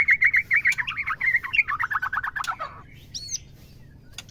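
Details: Female white-rumped shama, used to excite males into song and stimulate mating: a loud, fast, rhythmic churring trill lasting nearly three seconds, then quiet with a few faint high notes and clicks.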